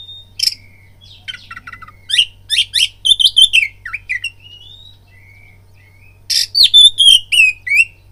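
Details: Oriental magpie-robin fighting lure song: a rasp and whistle, scratchy chattering runs, soft drawn-out whistles in a quieter middle, then a loud final burst of rasps and clear downslurred notes.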